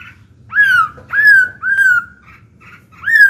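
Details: Black-throated laughingthrush kept in a cage, singing to prompt young captive birds into song: four drawn-out whistles with a slight arch, repeated about every half second, with faint short chirps between them.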